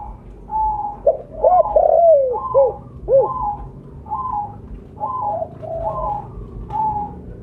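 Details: Loud, vocally active spotted dove with mottled plumage, used as a lure call. Soft, drawn-out coos alternate with bursts of short arched hoots, repeated roughly twice per second, giving a rolling cooing phrase.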